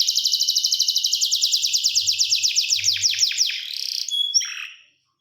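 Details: Canary melody of quick, regularly repeated descending whistles, about four per second, that slow and deepen before a short buzzy burst and a falling note to finish.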